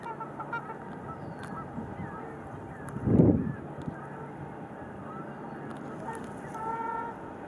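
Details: Trumpeter swan pair in pair-bonding display, 4 April 2015: scattered nasal trumpeting honks, growing clearer near the end, with a brief low thump around three seconds over constant low background rumble.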